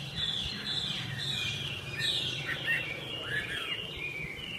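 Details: Chinese hwamei, three seasons old and newly moulted, singing varied whistled phrases against a noticeable low background rumble, notes somewhat blurred.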